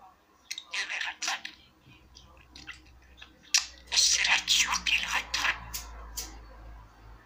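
A budgerigar chatters in bursts of high, scratchy, warbling notes, with short pauses between phrases.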